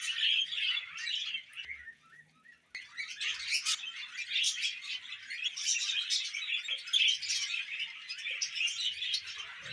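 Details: Several pet budgies warble continuously in busy, scratchy twitters. There is a brief dip and near-pause around the second and third seconds, after which the chatter resumes louder and steadier to the end.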